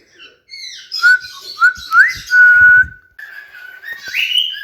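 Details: Cockatiels whistling: long steady pure whistles, some starting with a quick upward slide, held level for up to a second, with a higher rising whistle at the end and faint clicks between.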